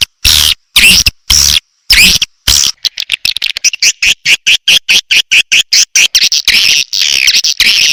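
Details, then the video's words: {'caption': 'Swiftlet lure call played to attract swiftlets: loud, high, buzzy chirps in chopped bursts, then a fast run of short clicking twitters at about one and a half per second.'} "SUARA WALET PANGGIL"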